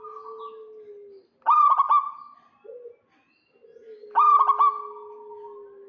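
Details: Local zebra dove calling to draw in a rival, males and females replying: two loud, staccato trilled coo bursts separated by low, steady humming coos and a brief lower note.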